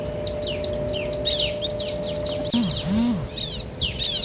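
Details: Answering bar-winged prinias, male and female, in rapid high arched chirps repeated several times a second, with a brief noisy burst and a low droning swoop midway.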